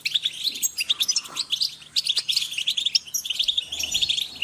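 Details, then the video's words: Soft chorus of European goldfinch group calls: steady overlapping tinkling chirps and twitters with a faint low hum beneath. "Group calls for goldfinch are great for motivating birds"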